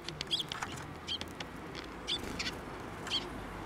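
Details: Sparrows coming to be fed near a Tenmangu shrine on 19 April 2024 give four clear, high, brief chirps roughly one second apart against quiet surroundings.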